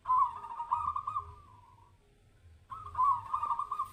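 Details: Zebra dove (perkutut) singing in a mental test. Two bursts of rapid, rolling cooing notes near one pitch, the first trailing off softly, with a pause of about a second before the second. Steady low hum underneath.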